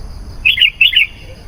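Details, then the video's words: Sooty-headed bulbul song used to lure wild bulbuls: two brief, rich, gurgling doublets of bright whistled notes in quick succession. "SUARA BURUNG KUTILANG GACOR. AMPUH MEMANGGIL KUTILANG LIAR.."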